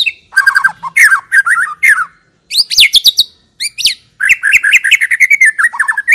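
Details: White-rumped shama song played as a lure to make other shamas sing: rich, fast phrases of chattering and whistled notes, short gaps between bursts, and some sharp high sweeps, all loud and busy.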